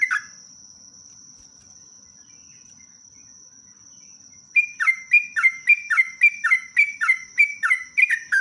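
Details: Sooty-headed bulbul in long rapid 'ropelan' song used as a lure: a lone note, a long pause with only a steady high whine, then a fast even run of about a dozen bubbly descending whistles, roughly three per second.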